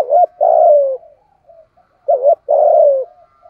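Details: Decoy spotted dove in the 'giọng thổ' voice used to train lure birds. Two phrases, each a brief hooked note then a long, full, gradually falling coo, with soft faint notes between.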